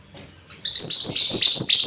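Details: Mountain white-eye song: a loud, dense string of high upslurred chirps, tumbling quickly one after another.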